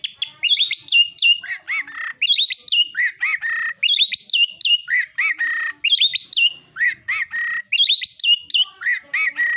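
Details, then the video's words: Fighting-mode song of an Oriental magpie-robin, used to provoke rival birds. Energetic phrases of high sharp notes that fall into lower slurred whistles, repeating roughly every two seconds in a steady, loud stream. "KICAUAN KACER NARUNG"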